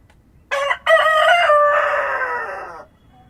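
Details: At dawn in rural surroundings, a rooster lets out one crow: two short clipped syllables, then a sustained, gradually falling harmonic note of roughly two seconds, with a faint hiss of countryside ambience behind it.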